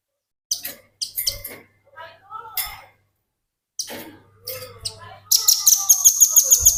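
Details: Velvet-fronted nuthatch in energetic song, recorded as tutor material for training other birds: loose, high chips and twitters, then a fast, even, piercing trill of repeated notes near the end.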